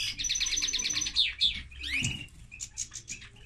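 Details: Song of a common linnet crossed with a canary: a rapid rattling trill of repeated notes gives way to sweeping slurred whistles, then quieter spaced chirps.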